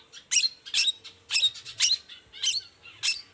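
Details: Long-tailed shrike giving harsh, raspy squawking notes in its morning song, meant to lure other shrikes into reply; about six scratchy bursts spaced roughly half a second apart.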